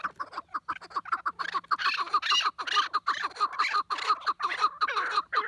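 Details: Chukar partridge in a noisy calling bout, giving rapid harsh clucking chuck notes repeated several times a second in rhythmic runs, with brief gaps between bursts.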